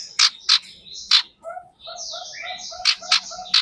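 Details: Common iora, possibly a female: six sharp, harsh chattering notes in irregular pairs, between softer whistled and twittering notes at lower pitch; used as a lure call to attract and stimulate other ioras.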